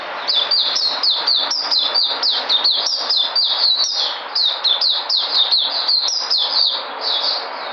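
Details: White-eye (puteh) recorded 13 February 2020, delivering a fast, energetic run of high, sharp chirped notes with downward-sweeping slurs, packed tightly and continuous for the whole stretch.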